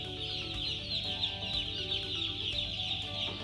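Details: Broiler chicks peeping as a dense chorus of many overlapping high, short cheeps, rapid and continuous with no pauses, over a steady low tonal hum.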